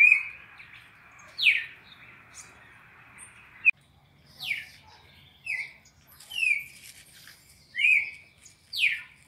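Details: Classic 4-note red-crested cardinal song made for teaching captive birds: sharp downslurred whistles and shorter rising-falling notes, about one per second, over a faint steady hiss in the opening seconds.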